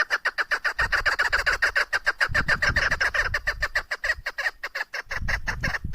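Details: Clucking chukar partridge call from a female: a continuous string of hoarse, evenly spaced chuk notes, roughly three or four each second, loud throughout, with intermittent low-pitched knocking noises.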